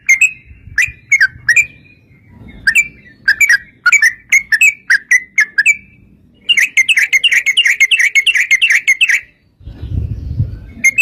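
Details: Yellow-vented bulbul song meant to prompt other bulbuls to sing: spaced whistled, slightly slurred notes, then a dense rapid run of bubbly notes. A low rumbling noise is heard near the end.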